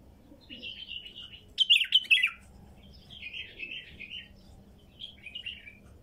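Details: Wild female bulbul song: a buzzy warbled phrase, a loud, jumbled burst of bright whistles, then longer rattling warbles and two short whistled phrases; steady low background hum.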